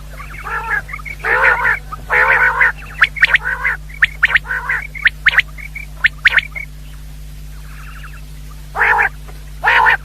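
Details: Common quail (batair) calls played to lure quail for hunting: sharp, clipped high notes in quick groups of three, mixed with harsher, buzzy, stacked calls, over a steady low electrical hum.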